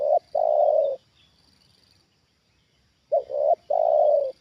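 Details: A trained spotted dove responds to a wild bird brought down a second time, giving two loud coo phrases, each a short abrupt note followed by a long, even, sustained coo, separated by a pause, with a constant high background drone.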